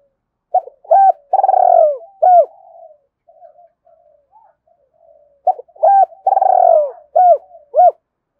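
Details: Spotted dove calls meant for luring and training decoy birds: two loud bouts of hollow, clipped coos, each with a drawn-out rolling note, separated by soft, low murmured notes.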